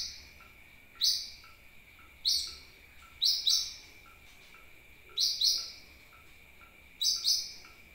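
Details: Used to attract birds, this sunbird call gives single and doubled high chirps at irregular one-to-two-second gaps, with a quiet steady high hum throughout.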